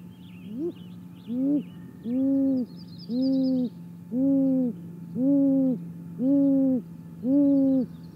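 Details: A female great grey owl at her nest calls at 6:19 am on 28 May 2017, a steady run of eight soft, low, even hoots about one per second, with faint small birds twittering over a low electrical hum.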